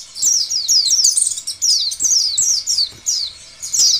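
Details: An Oriental white-eye sings a fast series of shrill, falling twitters in short phrases, the song used to encourage other white-eyes to start singing.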